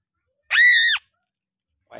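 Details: A Sulawesi-endemic piping crow utters a single strident, overtone-rich scream of about half a second that falls away at the end, with a faint rough noise starting just before the close.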